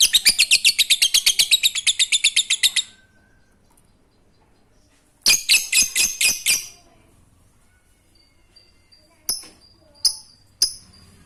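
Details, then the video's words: Lovebird ngekek chattering used as a lure for quiet lovebirds: a three-second burst of rapid rasping notes, a pause, a shorter burst of five loud notes, then three isolated chirps. "Lovebird ngekek Receh Mantap Untuk Pancingan Lovebird malas bunyi"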